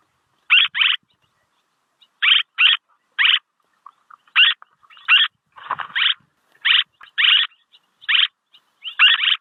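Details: Swallow sound used to lure birds: a long run of raspy chirps, often paired, coming in quick bursts with short silences, plus a fainter lower rustle midway.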